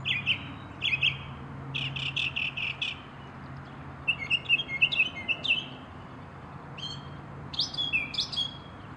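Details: Northern mockingbird song made of varied phrases, each a quick burst of repeated high notes: a stuttering trill, a rapid chattering group, then scratchy whistled notes, with short pauses between phrases.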